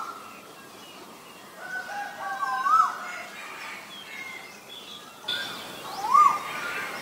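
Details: Male Asian koel giving two upslurred whistled notes about three seconds apart, with other faint bird calls around them.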